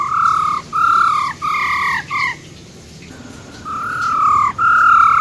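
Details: Female silver-eared laughingthrush singing a wild-type song said to quickly excite males: clear, pure whistled notes, each about half a second, steady or slightly falling, given in a quick series with a short pause midway.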